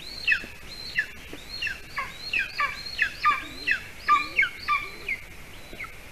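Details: Golden eagles at a Latvian nest with a chick, 12 June 2020 at 8:42 p.m., as the adult male delivers bird prey: thin, high, downslurred yelping calls roughly every second, sometimes overlapping, over faint hum.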